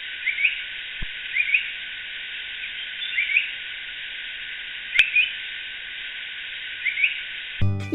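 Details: Yellow-browed Bulbul in Sri Lanka, a skulking forest songbird often in pairs, gives short, chirpy rising notes about once a second, some in quick pairs, over a soft background hiss; a brief clatter at the end.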